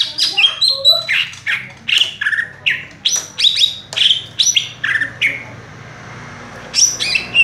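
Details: Greater green leafbird (cucak ijo) singing rapidly while perched in one spot: a dense run of sharp, high whistled and chirping notes, many dropping in pitch, followed by a short pause and a final burst of bright high notes.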